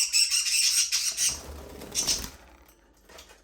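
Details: Aviary budgerigars talking, singing and playing: a continuous high, scratchy warble of rapid chirps that fades out over a few seconds, over a low background rumble.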